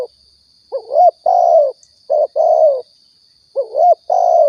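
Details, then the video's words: Spotted dove cooing, played as bait to lure birds for hunting in Riau; paired rounded coos, a quick upturned note then a drawn-out, slightly descending coo, repeated twice, over a constant high-pitched hum. "suara tekukur balam"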